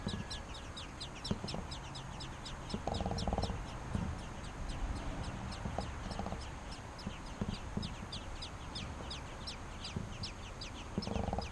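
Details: Baby American robins calling for food as the parents come to feed them, giving continuous rapid high squeaky notes, each sliding downward, with intermittent low bumps and brief muffled knocks underneath.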